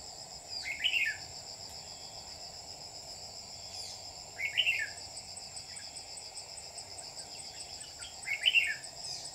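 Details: Lure red-whiskered bulbul on a trapping setup, recorded 27 July 2019, repeats a short warbled chirping phrase three times, about every four seconds, against a constant high-pitched insect hum.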